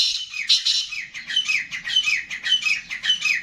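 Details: Black francolin (kala teetar) of the Gangas line calling: a run of loud, harsh, buzzy notes, each sliding downward, repeated about twice a second with little pause, and a faint low hum underneath.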